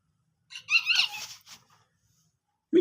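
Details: A ringneck parrot gives a brief burst of raspy, speech-like chatter with a nasal, squeaky tone, then falls quiet before a sharp knock. Talking like "me too" follows.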